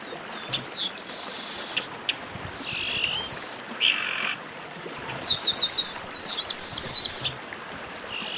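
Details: Garibaldi, or chestnut-capped blackbird, in a group 'baderna': buzzy harsh bands, a lower rasping note, and bursts of high sharp chips and quick whistles, delivered in separate bouts with quieter gaps.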